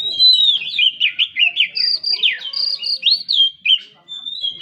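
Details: Oriental magpie-robin in full 'gacor' song, played to rouse a stalled bird: a rapid flowing series of high whistled and slurred notes, sweeping up and down, ending with a long sustained whistle.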